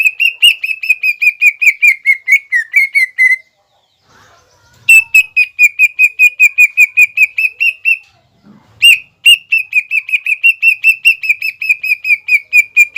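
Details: Greater green leafbird singing in mbeset style to provoke rivals: long rapid trains of short, steady whistles, some wavering slightly lower, broken by two brief pauses.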